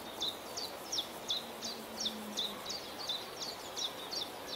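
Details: Common chiffchaff singing at Beemdkant, Wijnegem, 26 June 2020: a steady string of bright, high 'chiff-chaff' notes, alternating slightly up and down, about three per second, over a soft background hiss.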